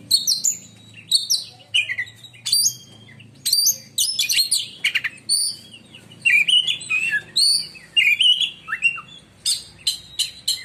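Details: Black-and-white oriental magpie-robin, a caged contest bird from Indonesia, pouring out loud, shrill song described as striking like lightning: rapid varied bursts of whistles, trills and harsh chatter in quick succession, faint low hum beneath.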